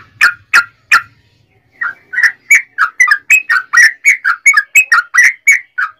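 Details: Yellow-vented bulbul singing its long rapid song as a lure for other bulbuls: three spaced loud notes, then after a pause a brisk series of warbling, gurgling whistles repeated several times a second.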